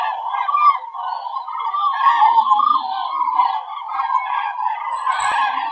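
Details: A flock of common cranes migrating southwest high over the Werra valley, Hesse, Germany, on the afternoon of 18 October gives a steady chorus of loud, rolling, trumpeting flight calls that overlap without a break.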